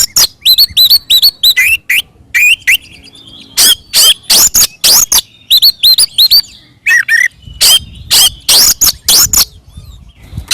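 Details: Oriental magpie-robin singing a fighting song used to provoke other birds: loud, rapid bursts of sharp notes with down-slurred whistles and harsh chatter, in repeated spurts with short pauses.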